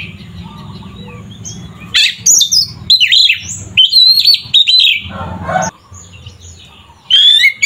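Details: Oriental magpie-robin singing a fiery 'ngeplong' fighting song meant to rouse rival magpie-robins: repeated bursts of loud, varied whistles, sharp chirps and harsh notes separated by short pauses over a faint low hum.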